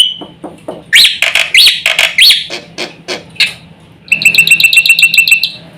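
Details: Black-winged myna song played to make other mynas call: scratchy chatter with rising whistled notes, then a rapid run of sharp, evenly repeated high notes near the end, with a low background hum.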